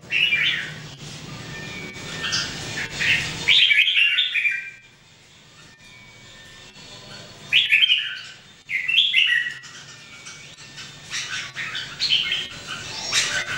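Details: Caged Red-whiskered Bulbuls in singing training; clusters of rich whistled notes arrive in bursts separated by quiet spells, with a faint hum.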